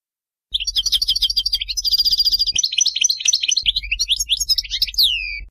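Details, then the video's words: Song of a European goldfinch, Bainam Ghazarat style, played to teach young birds; a long, continuous liquid twitter of rapid high notes with buzzy trilled stretches, ending in drawn-out downslurred whistles over a faint low hum. "غناء حسون باينام غازرات لتعليم الفراخ"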